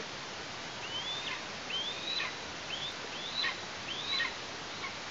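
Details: Eastern imperial eagle chick calling from the nest in Tatarstan, 16 August 2023: five thin, fairly soft whistles, each sliding upward and breaking downward, through steady hiss.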